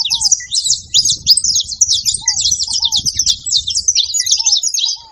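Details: Saffron finches clustered at a feeding spot make a rapid, jumbled chatter of high chirps, with lower downslurred notes appearing every second or so.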